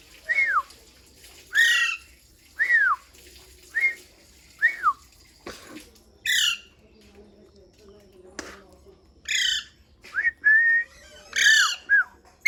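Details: Pet parrot whistling contentedly: a series of clear down-slurred whistles about once a second, mixed with harsh squawks and a few level whistles, plus occasional clicks.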